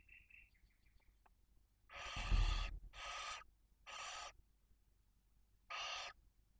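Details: Barn owl nest in Cabañeros National Park, with a female, two chicks one and four days old, and prey brought by the male. Several thin high chirps open, then four harsh rasping hisses about a second apart, with a low thump.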